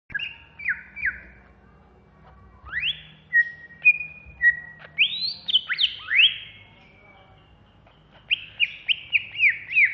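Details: Greater green leafbird from Alas Purwo, a caged contest-ready bird singing agitatedly: clear whistled phrases with falling slurs and rising sweeps, long level notes, then a fast run of repeated downslurred whistles near the end.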